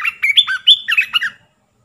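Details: Olive-winged bulbul lure song, three-phrase style, played to draw wild birds; a continuous string of chattering, bubbling notes at a steady fast pace, loud and clear.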